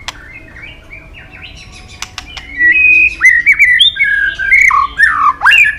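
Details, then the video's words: Murai batu in full gacor song with isian mimicry: quiet soft notes, then loud rich whistles gliding up and down in varied phrases, some sharp downward slurs. "Murai batu gacor isian super lengkap"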